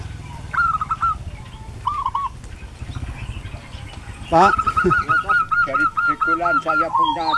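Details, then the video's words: Zebra dove singing in Kabuaran village, Prembun district, Kebumen regency, Central Java, Indonesia: after scattered soft notes, a long run of quick, evenly spaced arched coos at one pitch, with low rumbling background and faint voices. "SUARA PERKUTUT GACOR"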